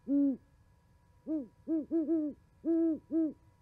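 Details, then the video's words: Winter owl conversation at a Charlo, Montana osprey nest, 11 January 2020, from a live camera; a single deep hoot, a pause, then a quick overlapping series of low, rounded hoots from two birds. "Hooties chatting"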